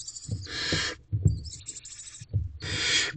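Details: Wild barn owl owlets jostling against their mother inside a nest box in the night, 28 April 2023. Harsh hissing screeches overlap one another, with a thin, higher hiss between them and low bumps from movement in the box.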